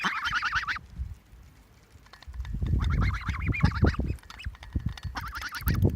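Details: Three pet geese honking: loud nasal calls in bursts at the start, middle and end, with heavy low rumbling and handling noise between calls.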